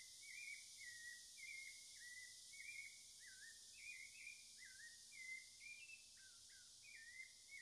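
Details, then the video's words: Cocoa thrush (Turdus fumigatus) in Amazon forest singing a steady run of short, slurred whistled phrases, many falling or looping, over a constant high insect hiss; Cocoa thrush. "O canto do Sabiá-da-mata / The song of the Cocoa Thrush"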